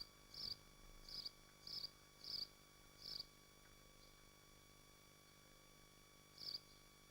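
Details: A swift at a nest in Machynlleth, Wales, on a nest livestream, gives short, thin, high screams in quick bursts, five in about three seconds and then one more after a pause, over a steady electrical hum.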